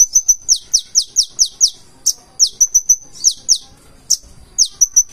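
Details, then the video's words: Konin, or Purple-throated sunbird, in lively 'gacor' song with full 'isian': quick runs of sharp, very high downslurred notes, each burst of five to seven chips, with short pauses and a couple of thin whistles. "KONIN GACOR FULL ISIAN"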